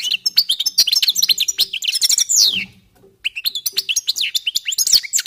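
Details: European goldfinches warming up in a nearly continuous stream of rapid, high twittering and liquid chirps, with a buzzy descending sweep near two and a half seconds before a brief pause.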